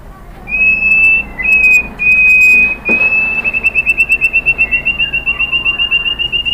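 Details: White-rumped shama song for provoking other birds: long, pure, steady whistles repeated several times, followed by a fast, even series of short clipped notes at the same high pitch.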